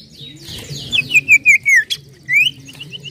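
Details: Common iora (cipoh/sirtu) lure recording in a lively 'nyiull nyiull' style: clear whistled notes slurring downward, run in quick succession, then a rising whistle, over a soft chatter of other birds.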